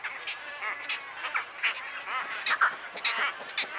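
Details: Wood stork chicks at Wakodahatchee Wetland, Florida, giving harsh, nasal calls, repeated about once a second, often overlapping as several voices call together, against a faint background hiss.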